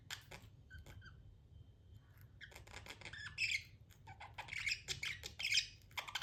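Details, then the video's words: Budgerigar chatter, soft at first, then busier bursts of scratchy, squawky chirps toward the end over a low background hum. "budgie chirping sounds"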